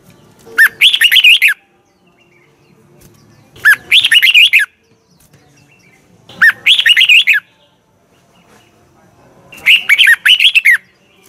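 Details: Red-whiskered bulbul morning song from 2020 in the double twisted voice style, used as a training and decoy sound: four bright, rapid warbled phrases, each about a second long, repeated roughly every three seconds with quiet gaps.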